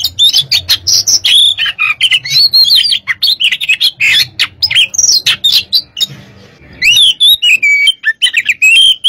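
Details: An oriental magpie-robin, described as a fighter, sings rapid chattering phrases with sweeping whistles and harsh notes, pauses about a second, then resumes with clear slurred whistles.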